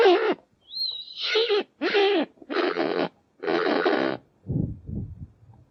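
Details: Kakapo (Strigops habroptilus) producing a varied series of rough squawks, one brief thin whistle near the start, then several harsh hoarse bursts with short pauses, ending in low grunting sounds.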